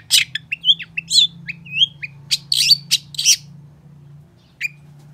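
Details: Long-tailed shrike song mixing harsh rasping bursts with clear, slurred whistles that rise and fall, then trailing off into a last lone chip after a pause.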